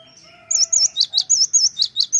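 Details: Cinereous tit in constant song, played as a lure to make birds answer quickly; faint drawn-out tones give way to loud, rapidly repeated high whistled notes alternating with sharp downslurs, about five each second.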